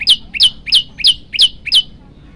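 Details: Olive-backed tailorbird recorded as master song for bird training, giving six loud, sharp, high chips that slur downward, spaced about a third of a second apart.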